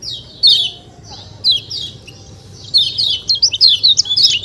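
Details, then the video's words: White-eye called kecial kuning, producing 'ciak ciak' notes: two isolated loud downslurred chirps, a pause, then a fast tumbling string of short, high, twittering calls, with a faint low hum underneath. "ciak ciak jos kecial kuning suara alam"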